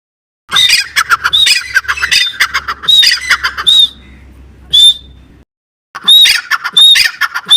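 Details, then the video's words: Partridge (teetar) calling: harsh, squawking bursts in rapid series with short clear whistled notes, a pause, a single whistled note, then another run of raspy notes with whistles. "teetar ki boli teetar sound teetar voice teetar ki awaz teetar ki awaaz"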